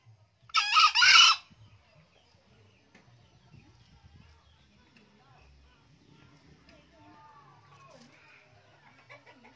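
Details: Green junglefowl, an old cock that crows often, gives one short hoarse two-note crow near the start, then a long quiet stretch with faint rustling and distant soft sounds.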